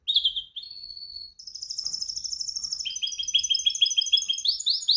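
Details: Canary singing in training to perfect its song: bright whistled notes, a sustained high buzzy trill, then a rapid run of short repeated chirps about three per second that rise in pitch at the end. Loud and clear.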